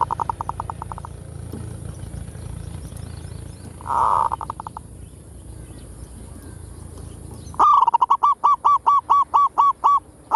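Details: Zebra dove giving a full kerot lure song: a few faint early note bursts, then a loud, even run of about ten rapid, hooked cooing notes with a clipped, stuttering rhythm toward the end.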